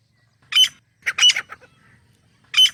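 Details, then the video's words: Grey francolin pair in jungle: three short separated harsh notes with quiet gaps between them. "Grey Francolin Partridge Pair | تیتر جوڑا جنگل میں | जंगल में तीतर | Boz kəklik | الحجل"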